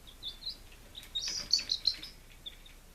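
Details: Five-day-old domestic chicks in Lunenburg, Massachusetts, recorded 23 July 2017, giving high thin peeps, some clipped and some slightly falling, clustered in a busy flurry mid-clip.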